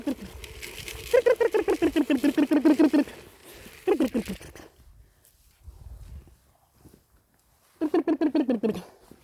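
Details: Chicken calls in quick pulsed runs of throaty clucks that drift lower toward the end of each run. Quiet gaps fall between the runs, and a final burst closes the recording.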